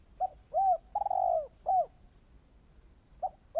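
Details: Low mellow coos from a spotted dove, a new bird in decoy training: a brief note, a rounded coo, a long quavering coo and a short final note, then a pause before another phrase begins.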